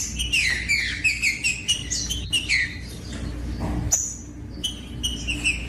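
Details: Green-winged saltator song used to warm up and stimulate other saltators to sing: a run of clear whistled notes sliding down, dense and overlapping, then a pause and a few higher chirps, over a steady low hum.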